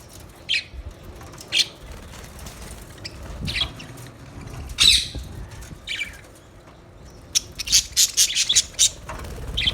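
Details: Budgerigars chirping: isolated sharp, high chirps spaced a second or more apart over faint low rumble, then a quick run of clipped, bright notes in the final two seconds.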